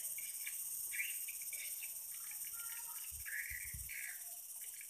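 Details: Swiftlets responding on an October 2021 late afternoon; scattered sharp chirps and short trilled notes, with a strong steady high hiss and a few low thumps near the end.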